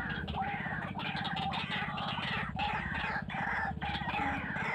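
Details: Fierce wild white-breasted waterhen calling in rough, scratchy croaks spaced about a second apart, with short whistled notes between the bursts and a steady low buzzing drone behind.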